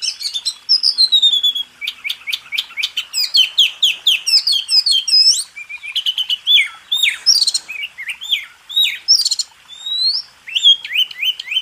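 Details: Kacer, the Oriental magpie-robin, delivering champion contest master song: fast, continuous cascade of crisp chips, trills and falling whistles, varied and high-pitched, almost without pause.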